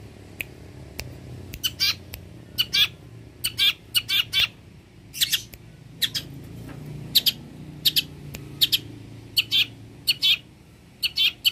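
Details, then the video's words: Long-tailed shrike with a rich mimicking repertoire utters short scratchy, chattering note clusters in irregular bursts over about twelve seconds, with low room hum beneath. "Pancingan suara burung cendet gacor, BURUNG CENDET isian mewah cocok untuk masteran burung"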